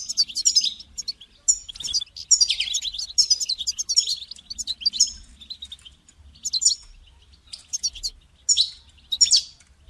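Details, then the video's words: Calls of a caged European goldfinch, played to motivate a caged goldfinch to start singing: lively, continuous twittering and buzzy trills for several seconds, then sparser bright chirp bursts. "votre chardonneret ne chante pas voila la solution"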